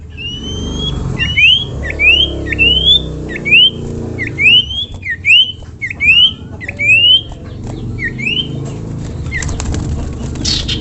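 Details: Sirtu, the common iora, giving a masteran song of about ten sharply rising whistled notes in a steady series roughly every 0.7 seconds, over a faint low rumble.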